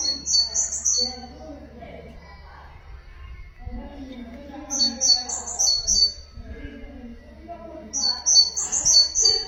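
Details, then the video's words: Nightingale singing as a tutor recording for goldfinches and canaries, repeating a high, rapid string of piping whistled notes roughly every four seconds while a man speaks between the phrases. "تغريد طائر الحداد لتعليم طيور الحسون والكناري بدون أخطاء"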